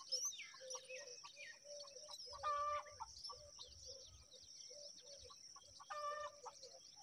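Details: Myna chicks at feeding time give harsh, raspy calls repeated about twice a second, with louder buzzy bursts of squawking and a few squeaky whistles. A steady high hiss runs behind them.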